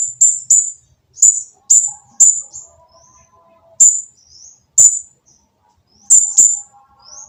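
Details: Noisy olive-backed sunbird song played to goad other sunbirds into singing: sharp, very high chips, often in pairs, separated by gaps of one to two seconds, with faint thin trailing notes between them.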